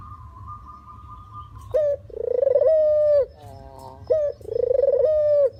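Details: Dove call used to lure and trap other doves. A thin steady whistle-like tone opens, then two low rolling coos follow, each starting with a short sharp note and lasting over a second.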